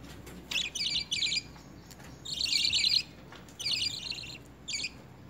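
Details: Lovebirds being hand fed spinach and coriander, early in feeding training, produce insistent rapid buzzy chattering, stuttering bursts repeated in quick succession with one longer harsh run, over faint hum.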